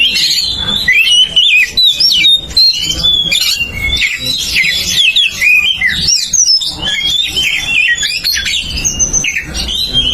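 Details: Champion Oriental magpie-robin with ngeplong song meant to provoke other birds: ten seconds of energetic, richly varied whistles, trills and chattering phrases with brief pauses.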